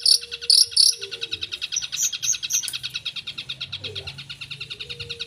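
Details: Long-tailed shrike singing vigorously with a full set of filler phrases: three loud high squeaky notes, a few whistled slurs, then a long rapid rattle of repeated notes, with faint low background sounds.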